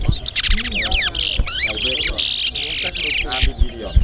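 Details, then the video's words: Seed-finch (towa-towa) whistling competition at Alligator Pond, Guyana: rapid, bright twittering and whistled phrases, busy and overlapping, while people count aloud over background chatter. "TOWA TOWA BIRD WHISTLING COMPETITION"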